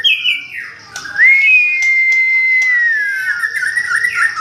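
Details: White-rumped shama of F3 class from Medan singing a clear whistled phrase: a falling slur, then a long steady pure whistle that slowly drops, ending in a rougher warbled flourish.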